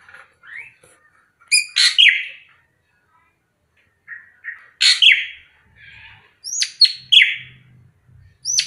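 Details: Srigunting krantil drongo, a very vocal bird that sings all day with a varied voice, recorded as a lure track: soft rising whistles, then harsh buzzy notes with a descending whistled tail, repeated in bursts separated by silence.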